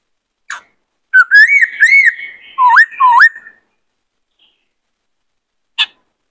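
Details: Many-voiced song of a white-cheeked laughingthrush, meant for training young birds and rousing males to sing and dance. A run of looping, rising whistles is followed by two deep swooping notes, with isolated clicks before and after.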